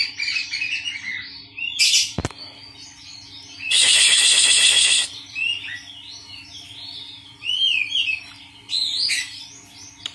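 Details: Oriental magpie-robins kept in a colony so a jumpy bird gets used to noise and sings sooner. Scattered bright whistles and twitters broken by a sharp crack and a loud, harsh rasping outburst about a second long.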